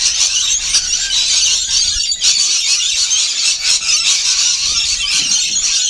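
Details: Several rainbow lorikeets screech while feeding, an unbroken chorus of piercing, grating squeals and chatter with brief dips and swells in loudness.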